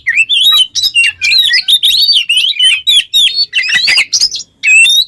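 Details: Oriental magpie-robin singing hard, a kacer 'ngobra teler' used to prompt other songbirds: clear looping whistles and quick trills in short bursts, ending after a brief silence with a final whistled phrase.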